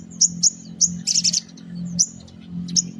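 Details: Morning spiderhunter calls, used as a lure for small birds: sharp high chirps, a short buzzy cluster in the middle, then scattered single notes over a low hum.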